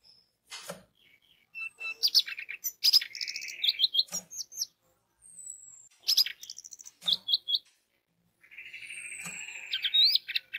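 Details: Lure recording of an orange-headed thrush in song, meant to trigger singing in others of its kind: rich high whistled phrases with quick trills and rising slurs, delivered in bursts of a few seconds with brief gaps.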